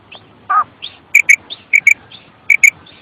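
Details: Female common quail giving its kirk call: clear doubled notes repeated in quick pairs, each pair a sharp high double click-like whistle, with one lower rounder note near the start and softer faint notes between.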